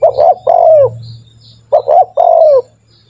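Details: Spotted dove, a vigorously calling bird used as a lure to train other doves to call quickly: two phrases, each of two short clipped notes then a long mellow falling coo, over a steady low electrical hum.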